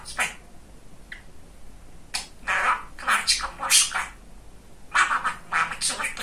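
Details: Talking male budgerigar, described as very chatty, kept indoors as a pet: bursts of scratchy, speech-like chatter with squeaky syllables in short phrases separated by pauses.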